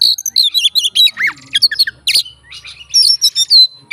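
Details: Song of a fighter Oriental magpie-robin meant to provoke other magpie-robins: rapid run of sharp chirps and whistles, a few down-slurred notes and a short harsh burst midway, then more quick bright notes.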